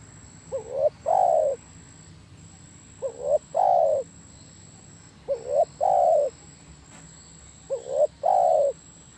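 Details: Spotted dove singing: four phrases about every 2.5 seconds, each a short soft note, a rising coo, then a long, mellow, slightly falling coo. A faint steady high-pitched tone runs underneath.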